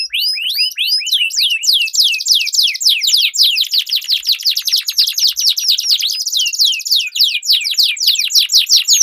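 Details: Competition canaries singing a long roll in a duel as training lure: steep descending whistled notes rolling into a dense, fast, buzzy trill that continues for several seconds with overlapping voices.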